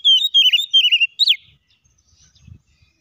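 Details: Oriental magpie-robin (kacer) song used to provoke other magpie-robins into singing: loud clear whistled notes, a steady note then wavering phrases, ending in a sharp rising upslur, then quiet.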